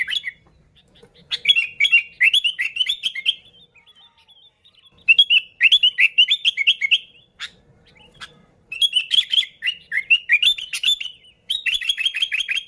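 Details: Energetic sooty-headed bulbul song used to lure bulbuls: several long runs of rapid, bubbly, warbling notes, each lasting about two seconds, with short quiet breaks between bouts.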